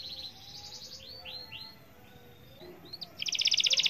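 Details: Canary singing gacor-style, meant to get other canaries singing too: faint swooping notes over background hiss, then a sudden loud, fast pulsing trill in the final second.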